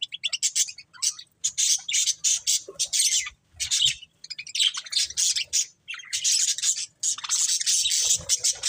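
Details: Chirping budgies giving harsh, buzzy chatter in clustered bursts separated by short silences, one phrase after another over several seconds.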